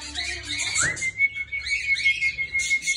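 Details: Budgerigar singing: a long, steady, level whistle held for about two seconds, with a brief rising slur before it and soft chattering warble around it.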